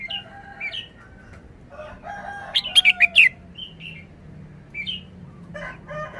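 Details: Red-whiskered bulbul singing the short 'forest song' style: scattered clear whistles and soft warbling, then a rapid burst of five loud, sharp, slurred notes near the middle, followed by a few rising whistles and quiet chatter.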